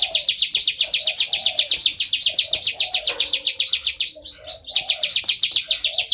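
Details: Bar-winged prinia singing loudly in full ngebren: fast, regular, high-pitched chips run on for several seconds, pause briefly for a softer twittered phrase, then restart, over faint low warbles.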